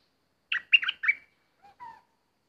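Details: Decoy bulbul used for luring birds, with an uninvited intruder present. A quick run of four bright chirping notes is followed by a pause, then two lower, softer whistles.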